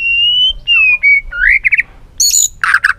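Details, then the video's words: White-rumped shama song meant to spur a bird into tail-flicking: long even whistles, a rising slurred note, quick doubled chirps, then harsh, scratchy bursts. "Kích Chòe lửa hót nhiều giọng, Căng lửa, chòe lửa đánh đuôi kích cực nhạy.luyện chòe lửa hót nhiều"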